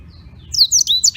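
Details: Black-throated canary from Beng, Gianyar, Bali, singing daily as a tutor recording: a brief burst of high, sharp whistled notes and quick slurred chirps, with a faint low hum beneath.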